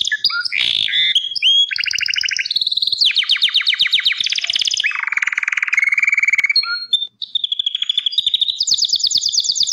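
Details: A Gloster canary sings a long, continuous medley of trilled tours at different pitches, including rapid rattles, a deep rolling buzz, a short pause, then a high clear trill.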